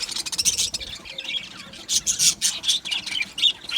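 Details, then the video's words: Several budgies in an aviary singing and squawking, bright buzzy chirps in rapid clusters, with a short lull around one to two seconds before the chatter resumes. "Beautiful Budgie singing and chirping sounds | Budgie parakeets sounds"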